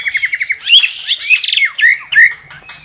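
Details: Loud cililin song recorded as a training model for contest white-rumped shamas, with a quick string of clipped repeated notes followed by tumbling slurred whistles and sharp chirps in rapid succession.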